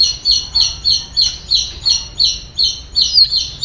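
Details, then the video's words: White-rumped shama, excited, giving a rapid regular series of high thin chirps, about three per second, steadily repeated throughout. "AWAS MURAI BATU MU IKUT EMOSI"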